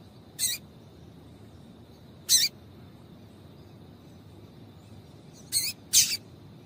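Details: Calls of a female double-collared seedeater, used to excite a male. Four sharp high chips come with long pauses between them, the last two close together, over faint steady background hiss.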